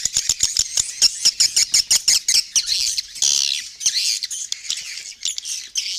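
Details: Lure call for attracting swiftlets, Raja Kalimantan style from Borneo: rapid dry clicks with thin high chirps above them, followed by a longer buzzy twittering chatter.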